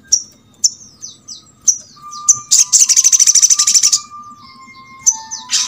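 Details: Sogok ontong (crimson sunbird) recording meant to make other birds of its kind sing: thin downslurred high chirps, then a quick rattling trill of about fifteen sharp notes, followed by more isolated chirps; a faint steady tone runs below.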